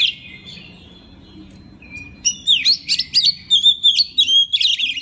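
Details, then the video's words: Oriental magpie-robin recorded as a master for other magpie-robins: quiet thin notes at first, then a rapid stream of bright looping whistles and chirps. "pagi siang malam kacer lain ikut gacor. isian master kacer. suara kacer"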